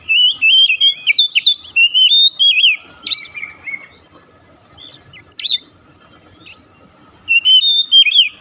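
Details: Oriental magpie-robin (kacer) song used as a lure to make a silent bird start singing: fast bursts of loud, clear whistled notes and sliding trills, then a quiet pause before another rapid whistled burst.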